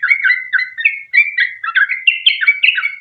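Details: Sooty-headed bulbul song used as a lure to get other bulbuls singing; clear, whistled notes sliding up and down, a slower series that grows busier and higher toward the end.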